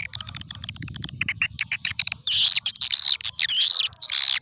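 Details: Swiftlet calling sound from a vintage lure track for attracting swiftlets: quick series of short high chips about twice per second, then longer harsh, buzzy twittering phrases.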